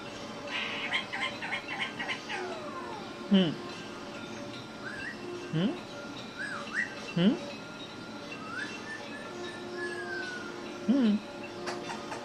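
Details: Pet parrot in India making funny talking sounds while sleeping: soft whistled slides and short falling swoops at irregular intervals, some rising notes, over a constant low indoor hum.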